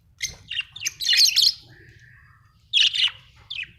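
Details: Happy budgie chirping: clipped chirps build into a dense, scratchy chatter, followed by a thin, level whistle, then more buzzy chatter bursts.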